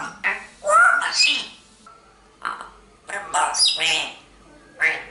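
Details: Ram, an African grey parrot, reciting the Maha Vakyas in four short, word-like bursts, a raspy human-sounding voice with hissy, high edges, separated by brief pauses in a quiet room.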